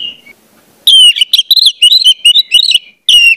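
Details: Song of an orange-headed thrush played as a lure to teach young birds: a brief thin whistle, then a dense burst of sharp, slurred whistled notes and chirps, ending in a loud downslurred phrase.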